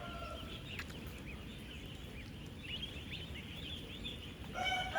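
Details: A crowd of 16,000 ten-day-old farm ducklings moving, eating and drinking: many high thin peeps, short upslurred chirps in irregular bursts, with a louder drawn-out call from another bird at the start and end over farm rumble.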